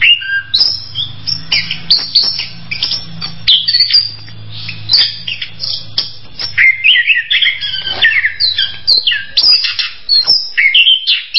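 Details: Orange-headed thrush pouring out a long, varied sequence of high chirps, whistles and chatter, with a steady low hum underneath during the first half.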